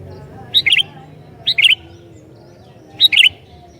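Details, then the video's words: Sooty-headed bulbul in full song to bait other bulbuls: three lively phrases, each a high note then a fast bubbling double chirp, spaced about a second apart, with low hum underneath. "Burung Kutilang Gacor Ini Sangat JAGO Mancing Kutilang LAIN"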